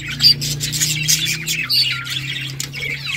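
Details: Several budgerigars in playful interaction, giving quick, high twittering chirps and short squeaky notes over a steady low hum.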